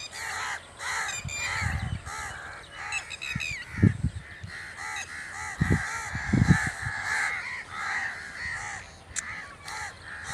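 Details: Crows cawing in a dense, overlapping chorus of harsh, nasal calls from several birds, steady through ten seconds, with a few low thumps breaking in near the start and middle.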